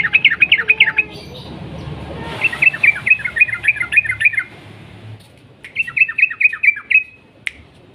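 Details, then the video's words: Sooty-headed bulbul in energetic 'ropel panjang' singing. Three fast bursts of sharp, repeated down-slurred chirps, each run of about five to eight notes, are split by short quiet gaps. A single click comes near the end. "burung trucuk gacor ROPEL PANJANG pancingan trucukan macet bunyi"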